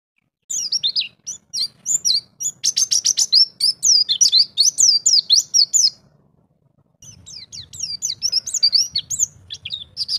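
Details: Champion pleci (white-eye) of the songbird hobby, singing in ngalas style with fill-in material: fast bursts of high twittering notes and buzzy trills, a one-second pause, then more quick whistled phrases over a low hum.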